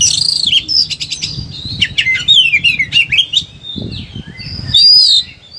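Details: Oriental magpie-robin in an agitated state, used as a model song for lazy singers: buzzy high notes, then a fast sequence of whistled slurred phrases, a low thump and a final loud harsh rasping burst.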